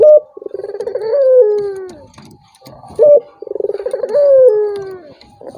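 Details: Turtle dove call used as a lure to provoke a rival reluctant to call: a short clear note, then a low rolling, pulsed coo that swells and slides downward, given twice about three seconds apart.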